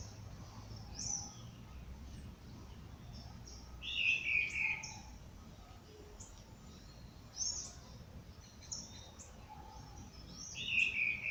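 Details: Birds singing at dawn in natural surroundings: scattered high chirps and short trilled phrases, a few louder bursts every few seconds, over steady low background noise.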